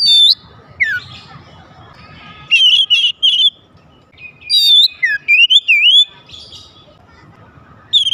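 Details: Magpie-robin singing to stir other magpie-robins into song, mixing sharp high whistles, descending slurs and wavy warbled phrases in energetic bursts with pauses between them.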